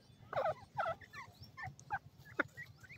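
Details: Golden francolin and grey Irani teetar chicks uttering short, squeaky, wavering notes, two louder at the start followed by scattered softer chirps over a low background hum.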